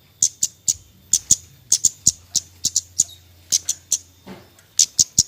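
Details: Javan white-eye in nyecret-style calling meant to coax quiet birds into singing: bright, piercing short chips in quick pairs and triplets, separated by brief pauses, over a faint steady low hum.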